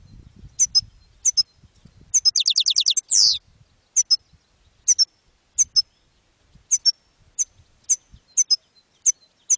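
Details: European goldfinch in campero style, meant for training young goldfinches: high paired chirps repeated at steady intervals, broken by a fast buzzy trill and a sharp rising-falling note, with faint low background noise.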